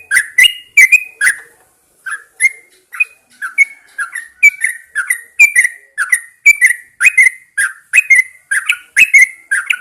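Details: Yellow-vented Bulbul in a cage, brought out at daybreak to encourage song, pours out a long string of bright, bubbling notes. The notes begin in separate clusters, then run together faster in a lively chatter.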